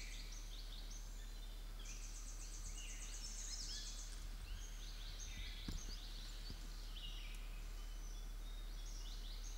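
Black drongo giving quick, high, metallic chattering and twittering notes in rapid overlapping bursts, over a steady low rumble of background noise.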